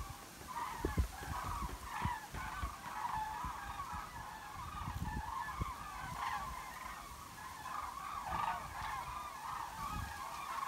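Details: Flock of common cranes circling and migrating over Altfriedland, a European bird protection area, trumpeting overhead: many rolling bugling calls overlapping into a continuous chorus, with low wind rumbles beneath.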